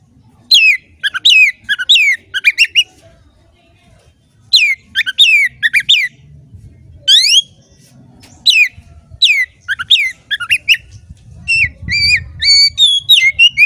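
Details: Oriental magpie-robin, a captive songbird, singing bursts of rapid steep downward-sweeping whistles separated by pauses, ending in a run of rising and falling whistled notes, with low background rumble.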